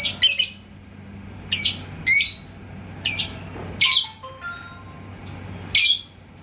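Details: Yellow lovebird from Indonesia, called labet koneng, provoked by a rival's song. Sharp, high chirps come in short bursts, mostly doubled or tripled, with quiet gaps between them and faint low tones in the background.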